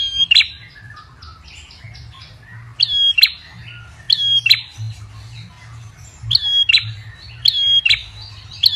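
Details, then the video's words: Ashy tailorbird lure call: softer chattering notes at first, then loud paired high chirps with whistled tones repeating roughly every second, faint low rumble. "Pancingan prenjak kepala merah paling ampuh"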